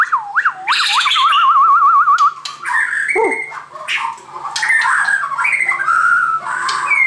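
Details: White-crowned shama opening with looping whistled notes followed by a fast trilled warble, then a dip, a short harsh drop and scattered bright whistles and chips.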